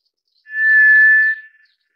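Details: White's thrush (Zoothera aurea) gives a single thin, steady whistle, almost a pure tone, held for about a second before fading; nothing else is heard.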